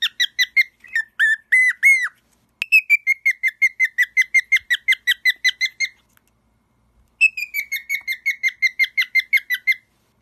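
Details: Cockatiel kept as a pet, singing in fast bursts: rapid chains of short clear whistles at a steady pitch, several per second, broken by a brief silent gap before another run.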